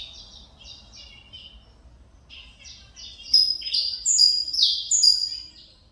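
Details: Saffron finch (canário mineirinho) coming out of moult and singing again: soft repeated chirps build into a loud, rapid sequence of bright high slurred notes, some rising and some falling.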